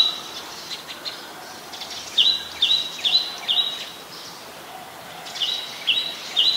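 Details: Chestnut-headed bee-eater, an adult, recorded on January 4, 2020 in Ubon Ratchathani, Thailand. It gives two bursts of sharp, high chirping notes, several in quick succession, with a quiet pause between them and soft bird calls in the background.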